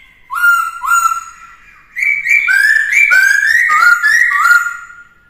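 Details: Black-throated laughingthrush (khướu bạc má) varied-voice song used for training a young bird. Two clear upslurred whistles, then a long chain of loud, stepped, rising whistled notes delivered rapidly with slight rasping edges.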